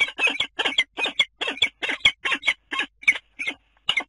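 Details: Common kestrel calling at its nest on the Dunea water tower, Scheveningen, Netherlands, on 10 April; a fast series of shrill, grating squeals, some doubled, roughly eleven bursts, then slowing slightly near the end.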